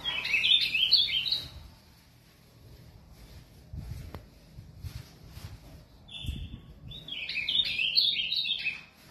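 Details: Caged azulão, or Ultramarine Grosbeak, in São Paulo, Brazil: a quick tumbling warble of whistled notes, a few seconds of quiet with soft knocks, a single steady whistle, then another lively warbled phrase.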